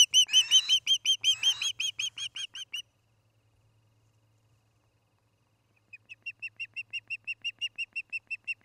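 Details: Evening nest-cam sound from an osprey nest near Charlo, Montana, late August 2018: loud rapid whistled chirps for about three seconds, a silent gap, then a softer, steady chirping series resumes.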